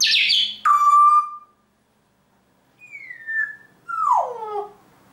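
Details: Pet grey parrot, a talking and singing mimic, gives a loud harsh squawk-like note, then a steady whistled tone, a pause, a falling whistle and a final swooping descending whistle with layered tones; quiet indoor room.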